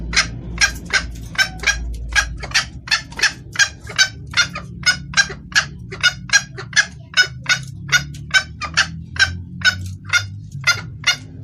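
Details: Calling junglefowl hen seeking the male, clear voice for luring: a long, steady series of some thirty short, harsh clucks, two to three each second, over a continuous low drone.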